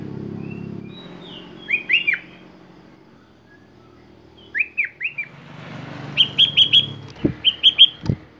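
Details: Sooty-headed bulbul singing a varied repertoire: paired slurred whistles, a brief pause, a trio of downward notes, then a fast string of five ringing whistles and a short closing phrase, with two sharp knocks.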